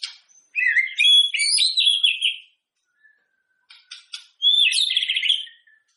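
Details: White-rumped shama song used before a singing contest to prompt other shamas to sing: two long, rich warbled phrases of quick varied notes, high and bright, separated by a pause with a few soft ticking notes.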